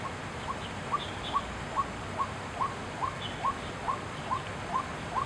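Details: A white-breasted waterhen calling at Chiang Kai-shek Memorial Hall on 6 September 2012 gives a monotonous run of clipped, slightly rising notes, roughly two per second, against steady low background noise and occasional higher chirps.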